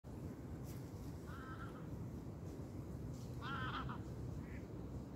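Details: Geese on a calm autumn lake shore give two short bursts of nasal, harmonic honks, with a higher squeak near the end, over a steady low roar of wind in the reeds.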